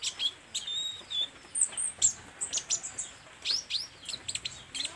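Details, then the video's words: Olive-backed sunbird singing vigorously: rapid, sharp, high chips and short metallic trills tumbling in irregular bursts, with some thin, descending whistled notes between them. "SUARA BURUNG KOLIBRI NINJA GACOR"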